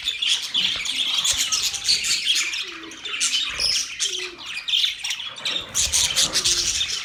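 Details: A flock of budgies warbles and chirps in thick, high-pitched chatter, with a few sharp squeaks and faint low tonal sounds underneath.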